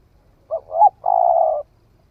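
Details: A single phrase from a spotted dove that has newly started calling, recorded on a forest trial: a short note, a rising swelling note, then a long level burring coo.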